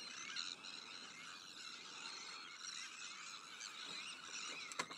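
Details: Many terns call together in a Sandwich tern breeding colony among black-headed gulls, arctic and common terns; overlapping grating, screechy notes form an unbroken wall of sound, with a sharp click near the end.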